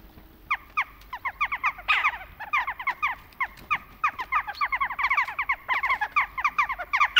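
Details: Several western jackdaws calling in autumn, a busy chorus of short, abrupt 'tchak' notes overlapping in rapid, uneven succession, with a brief louder burst near two seconds.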